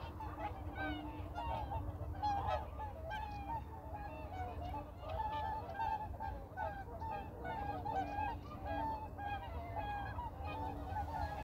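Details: A large flock of whooper swans on a reservoir, moving forward, gives loud, bugling, trumpet-like honks, many birds calling over one another without pause; a low rumble runs underneath.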